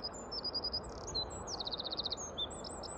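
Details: Eurasian wren singing: a string of very high, thin notes followed by a rapid dry trill of about eight notes, then a few more high notes, over a steady low background rumble.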